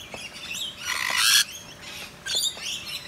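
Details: Wild Rainbow Lorikeets, native parrots of eastern Australia, drenched in the rain on a dreary day, back up in a tree; harsh, grating screeches: one long burst near the middle, then two shorter ones, over steady soft hiss.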